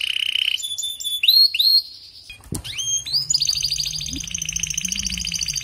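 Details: Canary song with short high trills and sharp upward whistled sweeps, a brief click-like break, then a long steady rattling trill over a low background hum.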